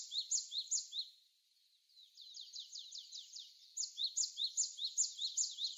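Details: Japanese tit singing amid falling snow on a windy winter day in Korea, February 2020, smartphone recording: quick high ticking notes in rhythmic runs, a short quiet gap, then fast repeated phrases resume.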